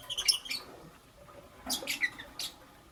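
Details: Green Fischer's and pastel blue lovebirds in the morning give a quick run of shrill chirps, a pause, then another short burst of squeaky notes.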